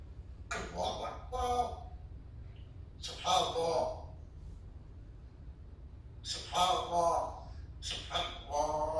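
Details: A parrot repeats the Arabic phrase "Subhan Allah" in a voice like a person's, saying it four times about every three seconds over a low room hum.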